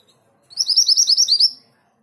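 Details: Orange minivet song: a clean run of about ten sharp, high-pitched whistled notes, each flicking upward, given quickly over roughly one second against a quiet background.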